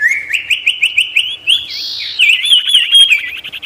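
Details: A bird known locally as sirtu sings energetically, a recording played to provoke wild birds and lure rivals closer. Rising whistled notes repeat quickly, then run into a loud rolling, warbled trill.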